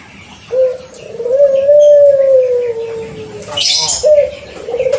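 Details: Six-month-old caged Barbary dove of the pelung cooing style, paired early to encourage calling, gives a long drawn-out steady coo that rises slightly and then slowly sinks, followed by a shorter coo starting near the end.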